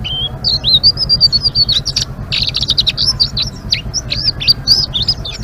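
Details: Busy ngeriwik song of a Blue-winged leafbird: a long, high, slurred whistle opens, then fast chattering, looping and trilled notes follow almost without pause. A constant low droning hum runs underneath.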